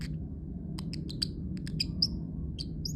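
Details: Parrotlet kept as a pet, uttering repeated short, piercing high chirps roughly every quarter second, some with a slight upward flick, over a constant low hum.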